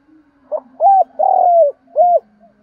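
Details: Morning call of a decoy spotted dove to attract wild males: one clear, low cooing phrase with a short first note, a coo, a sustained long coo and a short last coo, over a faint steady background hum.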